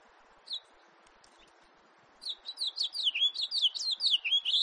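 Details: House finch recorded in 2018: a single high chirp, then after a pause a fast warbling run of about twelve slurred, descending notes that grows louder toward the end. Steady low background hum.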